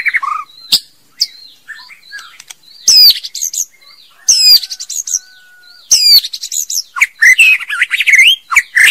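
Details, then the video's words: Female white-rumped shama singing: loud, varied bursts of sharp sweeping whistles and rapid chattering notes, separated by short pauses. Faint high descending notes and a thin steady tone sound quietly in the gaps. "TIẾNG CHÒE LỬA MÁI HÓT CHUẨN MỚI NHẤT"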